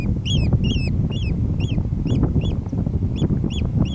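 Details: Sharp, high piping of an oystercatcher on Ceann Ear, July 25 2011, roughly ten clipped notes in quick succession, some slightly doubled, with loud low rustling and wind from a person running through the rough.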